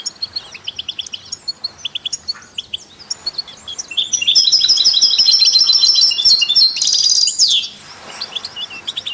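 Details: European goldfinch among canaries and mules, its song offered to stimulate other songbirds: evenly spaced sharp chirps for four seconds, then a loud, fast, buzzy twittering warble ending in a descending sweep, followed by softer notes.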